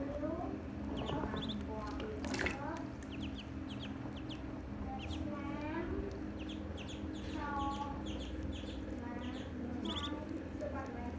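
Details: Several ducklings keep up a busy chorus of sharp, high peeps and rising whistled calls throughout, with a loud knock or clatter early on and a persistent low hum.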